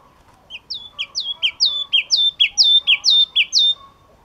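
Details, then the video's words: Yellow-cheeked tit repeating a clear two-part phrase, a sharp high note sliding down into a lower one, about ten times evenly in three seconds, loud and ringing against a quiet background. "Chim Chi Chi Mào Hót Cực Hay"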